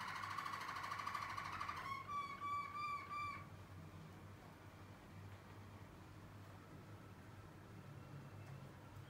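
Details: Young Waterslager canaries from 2020 singing: a rapid rolling trill around the middle pitch, then a series of clear bubbling notes repeated about three times a second, fading to faint background hum.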